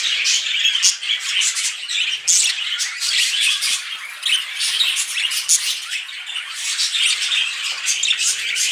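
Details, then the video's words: Budgies mating indoors with loud squawks and harsh chattering bursts, pulsing and uneven, packed closely one after another. "Budgies Mating"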